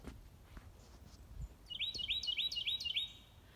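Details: At Bald Rock Boardwalk in Cheaha State Park, a Carolina wren, possibly in the distance, gives a rapid run of five loud, ringing, rolling phrases, about three per second, like "germany germany", over faint background noise.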